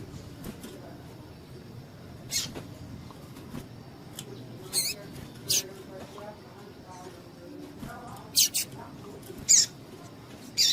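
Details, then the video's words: Female double-collared seedeater piping to stir up males before singing contests; thin, high, clipped chip notes scattered irregularly, some paired, with quieter faint ticks between, low hum in the background. "PIADO DE FÊMEA DE PAPA CAPIM PARA DEIXAR SEU PAPA-CAPIM DOIDO"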